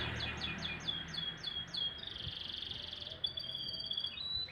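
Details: Sweet-voiced canary singing in the morning: a row of evenly spaced descending chirps, then a rich buzzy held note, then thin high whistles, over a low steady background murmur.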